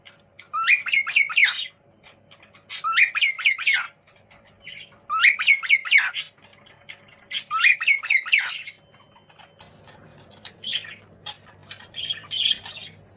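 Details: Young cockatiels communicating as they play, giving four loud bursts of scratchy, repeated rising squawks roughly every two seconds, then softer scattered chirps over a low steady hum.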